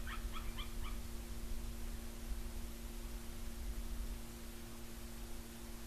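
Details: White-tailed eagles, a mated pair (male and female) near their nest tree on Smøla, Norway, sing a morning duet on 26 August: a quick series of four or five high, yelping notes, then wind rumble and low hum.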